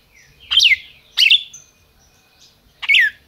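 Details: Three loud, piercing slurred notes from a captive red-crested cardinal raised by a Brazilian breeder, each falling sharply in pitch, the first two close together and the last after a longer pause. Faint low background hum.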